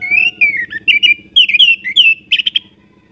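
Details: Orange-headed thrush singing a rich run of varied whistled phrases, slurred up and down, ending in a few quick sharp notes, with a faint low hum in the background.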